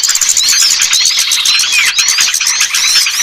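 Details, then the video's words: Lure sound for attracting small birds reluctant to come down: a thick mix of sharp squeaky chirps and thin sweeping whistles, many birds calling over one another continuously. "Suara Pikat burung kecil yang susah turun"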